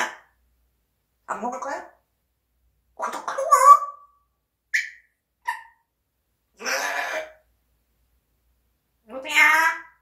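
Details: Pet parrot talking, source of its learned words unknown; short scattered speech-like bursts and chirps separated by silences, some rising to sharp high squeaks, one clear whistled note near the middle, quiet indoor setting.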